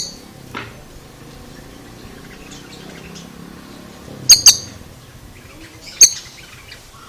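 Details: Oriental magpie-robin with an odd voice: after a quiet stretch, a sharp high double click followed by a single clipped note, over low background rumble.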